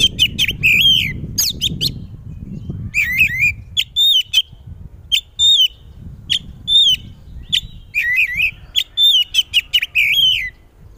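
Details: Loud song of an Oriental magpie-robin kept as a songbird, intended to prompt any magpie-robin to reply: rapid runs of sharp whistled and chattering notes with slurred downward phrases, nearly continuous over low rumbling background noise.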